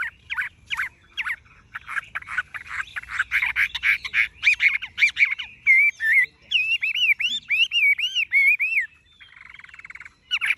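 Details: Captive tame Chinese hwamei, legs, bill and feathers golden-yellow, in continuous song: dense scratchy chattering phrases followed by a series of bouncy looping whistles, then a soft buzzy trill and more sharp notes.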